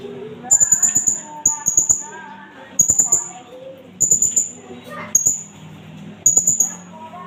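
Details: Indonesian blue-crowned hanging parrot used as a lure and for tutoring. Short bursts of piercing, very high beaded notes come about once a second with quiet gaps between them, over a low tonal mosque loudspeaker sound.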